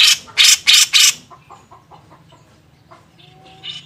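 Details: Grey-cheeked bulbul, training master recording in the beset ngepik style: four loud, rough squawks in rapid series, then a trail of soft, low chattering notes and a faint whistle.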